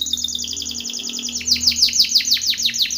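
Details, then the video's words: Singing Timbrado canary in a training song, delivering a rhythmic series of quick downward-sweeping notes, about three per second, which grow louder and fuller halfway through. "TIMBRADO canary singing / canto Canario cantando / canary training song"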